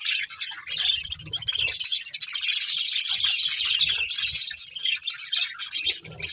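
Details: Continuous high twittering from a budgerigar breeding pair and family, a thick layer of fast warbles and chirps held throughout.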